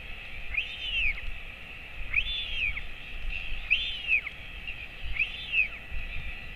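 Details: Feeding time for a royal albatross chick hatched January 2024, its father attending, 28 August 2024 at 11:35 am on a colony camera; four clear arched whistles, each about half a second, amid breezy background.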